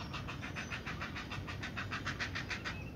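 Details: Great Blue Heron chicks at the nest during feeding and beak biting make a rapid, rasping growl of pulses, about seven per second, over a low rumbling background.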